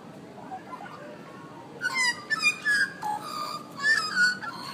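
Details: Australian magpies singing in a busy downtown street in Canberra, Australia, during hot summer weather above 100 degrees: after a quiet start, loud bursts of rich, warbling, fluty notes, over a steady murmur of city noise.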